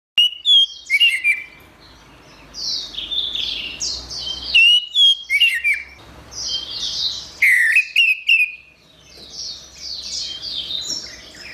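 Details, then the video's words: Orange-headed thrush song recorded as a master track for training songbirds: loud, clear whistled phrases with sharp slurred notes in short bursts, over a steady background of softer, repeated high chirping notes. "Ocehan Suara Burung Anis Merah"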